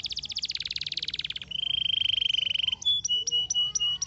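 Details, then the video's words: A canary sings a fast rolling trill, then a steady high buzzing trill, then a series of clear, sharp whistled notes repeated about three times per second. "Boa música canário"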